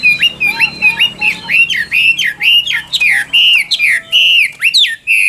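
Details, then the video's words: Chinese hwamei ('Tam Hoàng' type), a bird kept for sale, delivering loud, rapid whistled phrases, each note a rising-falling slur repeated about once per second, growing more complex toward the end. "Họa Mi Tam Hoàng Miệng Mỏ Như Máy Khâu, Điện Đóm Căng Hót Hét Bài Bản"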